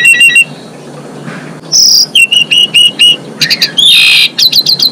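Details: Female Asian pied starling song aimed at bringing males into breeding condition: quick repeated chips, a high strained squeal, a row of ringing metallic notes and a loud rasping burst.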